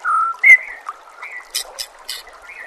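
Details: White-rumped shama song used as a masteran training recording, set among nature sounds and trickling water: a clear whistled note, then a higher sliding whistle, followed by short buzzy bursts and softer whistles.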